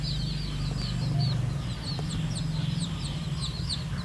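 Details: Red junglefowl chicks of diluted wild blood, out with a hen that leads them to feed in a natural setting; a steady stream of short, high, downslurred peeps over a constant low rumble.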